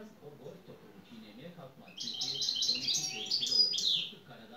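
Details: European goldfinch song: after about two seconds of quiet murmuring voices, a quick run of high twittering notes and buzzy slurred trills rises over the background.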